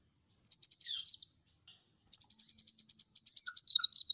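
A sunbird sings high, rapid chittering trills in two bursts, the second longer and slightly falling at the end.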